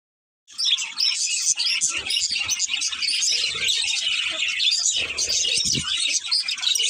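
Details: Budgerigar breeding pair chirping: after a short silence, a dense, unbroken stream of high, scratchy warbles and quick tweets starts and runs steadily to the end.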